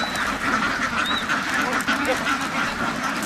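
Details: Farm ducks massed together give a constant rough babble of quacks. A short high whistled note cuts in just after the first second.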